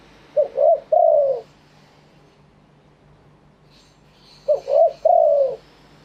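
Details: Spotted dove in Thailand cooing in the wild-bird phrasing style: two phrases about four seconds apart, each two short soft coos followed by a longer falling coo, with faint higher chirps near the second phrase and a low steady hum.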